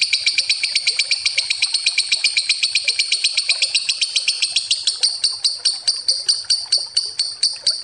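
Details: Lovebird giving a long ngekek trill used as a lure: a rapid, unbroken run of high, harsh clicking notes, about four per second, continuing steadily for the whole stretch and spacing out slightly toward the end.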